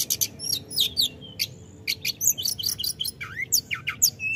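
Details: Continuous 'gacor ngerol' singing from a snowy-browed flycatcher: rapid clicks and chips, a long level whistle, then a dipping slurred note and quick high downward sweeps near the end.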